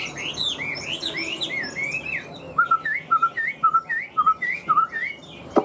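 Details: Newly moulted captive Chinese hwamei singing a series of upward-sweeping whistles, then short clear whistled notes repeated about twice per second, ending with a knock.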